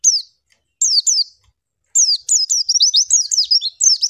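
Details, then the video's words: Female white-eye used for song training: a few separate sharp downslurred chips, then a fast unbroken run of high twittering zigzag notes. "MASTERAN PLECI LANGSUNG BUKA PARUH"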